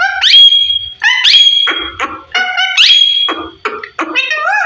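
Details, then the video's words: Fifteen-year-old parrot talking: loud rising whistles that level into steady tones, mixed with rasping syllable-like bursts and a final wavering note, repeated in phrases roughly every second and a half. "15 Year very beautiful parrot talking"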